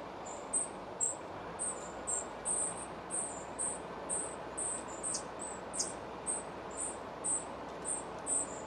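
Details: At a spotted flycatcher nest near Moscow on 17 July 2023, feeding under way: a quick, nearly continuous run of about seventeen thin, high chips, some slightly downslurred, plus two short sharp clicks midway, over soft background noise.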